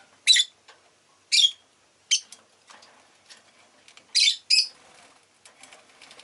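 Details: Rosy-faced lovebird giving sharp, shrill chirps, four loud bursts spaced irregularly, some paired, over faint background rustling and low scratchy noise.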